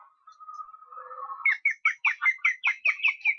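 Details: Osprey young being fed at a nest in Estonia, 13 July: a thin level whine builds into rapid, rhythmic squealing whistles, about two and a half per second, loud and insistent.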